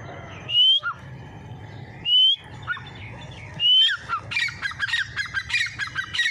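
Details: Dhakni teetar (partridge) gives loud, shrill whistles that rise in pitch, spaced about a second and a half apart, then a quick run of shorter repeated notes, over a low hum.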